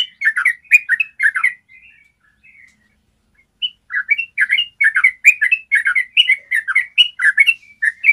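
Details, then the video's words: Yellow-vented bulbul singing a long trill, used to train caged bulbuls to sing. Fast gurgling phrases, a two-second pause with faint notes, then a long, rapid run of rich, bubbling warbles. "Masteran ropel panjang suara jernih bikin trucukanmu jadi rajin ropel"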